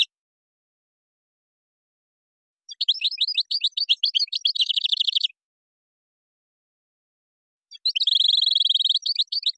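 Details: Moroccan-style European goldfinch song featuring gazarat and the rolling srrr bertbertiu: two long, fast, rattling trills of high liquid notes, the second steadier and buzzier, each lasting a few seconds.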